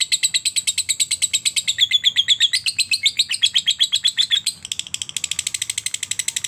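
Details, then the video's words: Lovebird trill meant to prompt other lovebirds into singing: a long run of rapid, high, harsh ticking notes, briefly shifting to a more tonal whistled middle section before resuming the quick even chatter. "Lovebird ngetik sambung ngekek mantap ‼️, terbukti ampuh merangsang Lovebird cepat bunyi dan ngekek"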